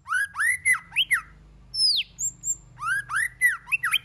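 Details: White-rumped shama song in many voices, used to get other shamas singing. Loud arched, ringing notes in quick groups, a sweeping high falling whistle mid-phrase, then another rapid burst of rich notes.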